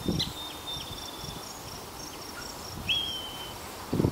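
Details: Yellow-breasted chat giving two clear, high whistled notes, the first a short bright note and the second rising then held level, with a steady insect drone high above and low rustling thumps at the start and end.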